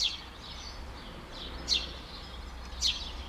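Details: A Eurasian tree sparrow, excited and alarm-calling at its nest, Skřivany, 11 May 2015, gives sharp, high chirps at irregular intervals, roughly one a second, over a steady low rumble.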